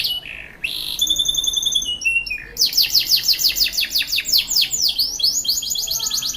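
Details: Caged canary from South Jakarta singing an ornate, plaintive song: high whistled notes, a descending series of pure tones, then a long rapid rolling trill of repeated sweeping notes.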